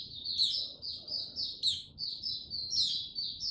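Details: Male white-eye (mata puteh) recorded 6 March 2022, warming up before opening into full song, slow and steady: rapid chains of high, thin twittering notes with sharper upper chips, overlapping phrases almost without pause, faint low background hum.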